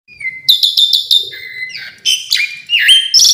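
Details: Asian pied starling in full varied song: a level whistle near the start, then rapid bursts of sharp chirps, a lower held whistle, and rough rising and falling phrases at the end.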